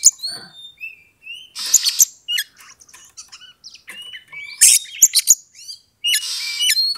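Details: Oriental magpie-robin singing a fight-provoking bait song that builds emotion gradually. Dense, varied chatter: harsh buzzy rasps, quick sharp chips and slurred whistles, delivered in a nearly continuous, energetic stream.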